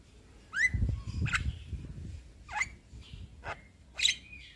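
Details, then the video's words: Javan myna (jalak kebo) giving its gacor song in sparser form: scattered rising whistled notes and short harsh bursts spaced about a second apart, over a noticeable low rumbling background. "Jalak Kebo Super Gacor Ngeroll"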